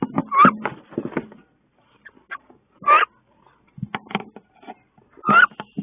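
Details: Two female wood ducks clash in a nest box on 16 May, with loud squealing calls about every two and a half seconds separated by scuffling and quiet gaps.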